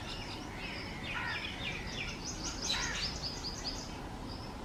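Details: Migratory rosy starlings from Central Asia and Russia, feeding on date fruit in Pakistan in summer, chatter in a busy flock with overlapping harsh, buzzy notes and high squeaky chirps over steady low background noise.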